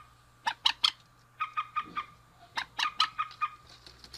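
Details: Rail male and female exchanging calls: three loud harsh notes, a pause, then an even run of softer clipped notes followed by another loud series, with a background hum.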